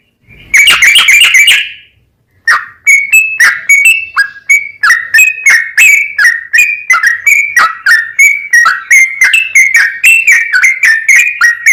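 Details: Yellow-vented bulbul song used to provoke other bulbuls into singing: an opening burst of bubbly notes, then a long run of short whistled chirps repeated about three times a second, alternating slightly higher and lower.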